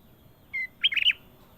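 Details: Kutilang emas (golden bulbul) delivers a brief phrase: one level whistled note, then a quick bubbling cluster of three or four rich, warbled syllables against a quiet background.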